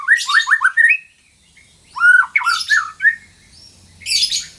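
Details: White-rumped shama song for training silent shamas: quick stuttering whistled notes at the start, then harsh buzzy bursts mixed with clear downslurred whistles, and a final raspy burst.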